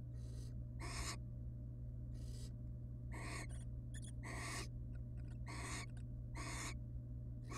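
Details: At a nest box with chicks, a wild barn owl pair interacts, the female showing affection to the male; rough wheezy hisses of varying length repeat irregularly, with short clicking ticks between them and constant low electrical hum.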